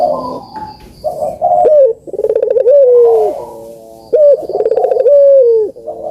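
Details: Barbary dove cooing, recorded as a lure to prompt lazy doves to call: low harmonic coos with rolling, pulsed middles and long sliding tails, phrases repeated about every two seconds.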